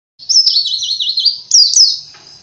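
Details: Oriental white-eye song used as a lure to get caged birds singing steadily: high, rapidly wavering warbled phrase, then two sharp rising-falling chirps and a fading twitter, in quiet surroundings.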